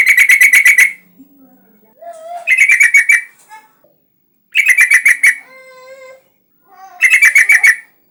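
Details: Yellow-vented bulbul calling vigorously, played to draw other bulbuls into song: four loud bursts of fast, pulsed chattering notes about a second long, interspersed with softer clear whistles.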